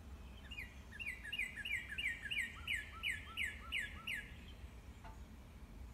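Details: A Northern cardinal in a backyard in the morning sings a fast run of about a dozen clear, down-slurred whistled notes, roughly three per second, over a low background rumble.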